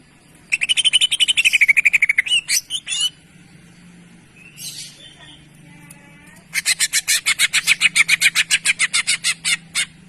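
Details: Cucak ijo (greater green leafbird) master song: rapid rattling trill of sharp notes, a few louder squeaky chips, a brief quiet gap with soft warbling, then another fast, even series of high repeated notes.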